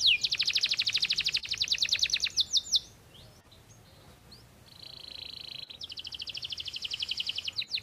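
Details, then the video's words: Canary song with a fast dense trill, a brief near-silent pause, then a steady buzzy note and another rapid rolling trill. "kenari gacor siang malam"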